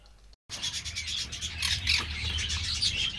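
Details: Green-cheeked conures (Pyrrhura molinae) at an amateur breeder's aviary give a busy stream of high, scratchy chirps and squeaky notes, several birds overlapping, over a low steady hum.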